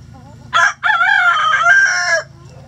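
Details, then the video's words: Rooster crowing in a backyard chicken coop with its flock: a brief sharp opening note, then a loud, drawn-out harmonic crow of nearly two seconds that wavers and drops at the end, over a steady low hum. "Rooster Crowing"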